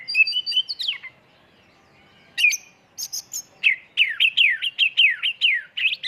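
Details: Oriental magpie-robin lure song in full 'isian' 'tembakan' style: opening whistled slurs, a pause, then harsh chips and a fast run of repeated downward-sweeping whistles, about two or three per second.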